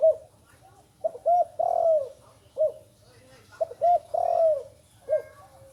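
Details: Coos of a young Spotted Dove that has only recently begun learning to call: soft, low hooting notes in uneven groups of two and three, some notes held longer and falling, over a faint steady low hum.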